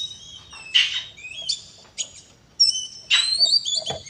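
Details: Kacer, the oriental magpie-robin, giving fighting song meant to rouse other birds: clear high whistles in short bursts, a few slurred phrases separated by pauses, and a clatter of knocks at the very end.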